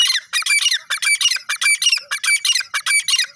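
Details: Grey francolin, known locally as gora teetar, calling: loud, harsh, grating notes packed into rapid clusters, roughly three bursts a second with short gaps, each burst scratchy and high-pitched, continuing without pause.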